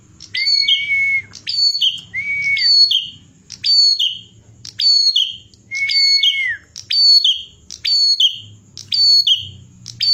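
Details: Bar-winged prinia song for masteran training, with crisp high whistled phrases in quick succession, nearly one per second: descending chirps trailed by short notes, and now and then a steady held whistle sliding downward at its close.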